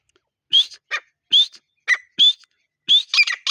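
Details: Grey partridge (teetar) in the breeding season: spaced single calls, each a short rising whistle with a harsh tail, given about every half second, then a quick cluster of notes at the end.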